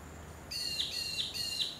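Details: Blue-faced honeyeater filmed on the Sunshine Coast, Queensland, in April 2023, giving three high, sharp, down-slurred calls in quick succession, each ending in a brief drop.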